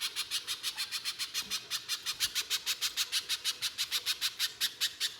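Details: [4, "Little spiderhunter in non-stop harsh 'nembak' song, a lure to set other spiderhunters singing: a steady series of sharp, high ticking notes, about three per second, without a pause."]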